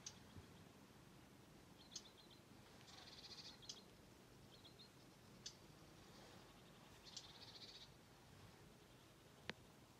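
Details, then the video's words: Eurasian reed warbler clicking in the reeds at Mingen, Njurunda, on 22 July 2023, with a blue tit reported joining in; faint, rapid dry clicks in short runs, sparse sharp ticks, under a steady hiss. "Rörsångare knäppningar"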